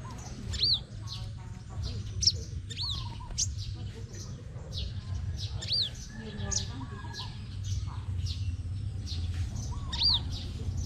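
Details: Crimson sunbird competing in song, Đồng Nai, Vietnam: bright high notes sliding sharply downward, repeated at irregular intervals among rapid ticking chips, with soft lower chirps and a low background hum.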